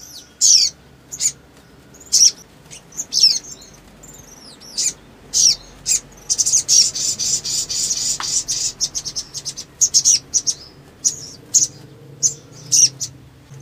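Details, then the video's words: Ruby-cheeked sunbird singing energetically in a long bout, used as a lure to provoke other birds: rapid high, thin chirps and short sweeping notes in quick bursts, with a dense trilling run near the middle. "SOGON GACOR NEMBAK PANJANG ‼️ PANCINGAN EMOSI CEPAT BUNYI GACOR"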